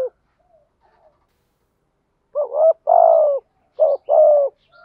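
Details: A decoy spotted dove, used to lure wild birds, coos after a quiet spell. A short note leads into a long, low, gently falling coo. A second, quicker phrase follows right after it.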